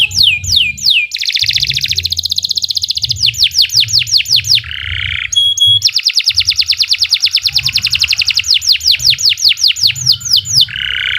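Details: Canary singing a long master song for training birds: alternating fast rolling trills and falling whistled notes, broken by brief harsh buzzy bursts, repeated phrases carrying throughout.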